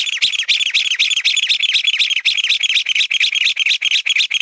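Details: Mountain bamboo partridge giving a rapid, insistent run of scratchy, chattering notes, around four each second, slightly blurred and overlapping as the series continues.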